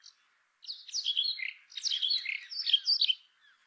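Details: Indian chat, the brown rock chat, singing two scratchy warbling bursts of jumbled chirps and slurred whistles, with a short gap between them.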